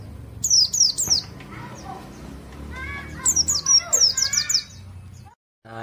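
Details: A kept white-eye sings its standard "ngalas" song stage, reached after about five to seven months of care without doping: very high, thin, rapid twittering with lower slurred whistles in a rhythmic run, brief pause near the end.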